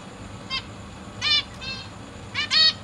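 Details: Captive zebra finches in a big cage, 12 August 2023: parents feeding three juveniles and three newly fledged young. Three short nasal, harmonic-rich calls, single and then paired, separated by quiet gaps over a faint steady hum.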